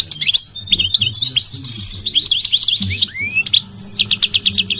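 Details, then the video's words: Goldfinch, said to be migratory, sings a sweet jumbled twitter: tinkling notes, a few upward-sliding whistles, then a fast ringing trill at the end. A low hum runs underneath. "The elegant migratory goldfinch sings the most beautiful singing"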